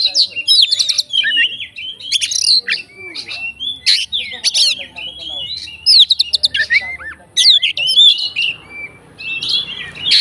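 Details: Oriental magpie-robin fighter singing to provoke other birds of its kind: loud rich whistles, sharp clicks and rapid trills in dense bursts, with short pauses between phrases.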